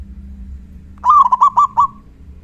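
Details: Loud-voiced local Zebra Dove calling as a lure to draw replies from other doves: a single phrase of five quick, evenly pitched cooing notes lasting about one second, with a faint low background hum.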